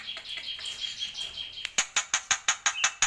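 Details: Jalak pito, the black-winged myna, giving a tembakan song: a thin sustained high whistle, then a string of evenly spaced sharp, loud chip notes at a steady fast beat.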